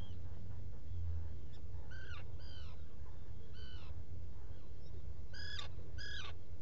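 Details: Short, bright, harmonic calls in spaced pairs from a Black guillemot at its nesting burrow on Seal Island NWR, Maine, taken by a burrow cam on the morning of 07-05-2018. A deep continuous rumble runs underneath.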